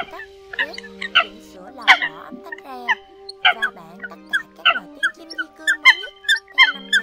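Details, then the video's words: Eurasian coots on a trapping lure recording used late in the season: a dense chorus of overlapping harsh, nasal calls, some rising and falling, repeated rapidly over steady droning tones. "Tiếng Sâm Cầm"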